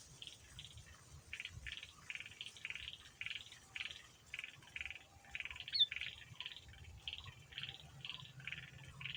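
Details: Male sooty-headed bulbul in lively lure song meant to make other bulbuls answer, a faint string of short bubbly chirping phrases repeated roughly twice a second over low rumbling background noise.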